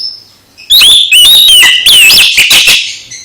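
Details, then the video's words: Oriental magpie-robin singing to wake a listless magpie-robin into song: after a faint high note, bursts of loud, harsh whistled phrases with rising and falling slurs follow in quick succession. "Kacer MBAGONG langsung GIRAS lagi setelah dengar KICAU Kacer ini"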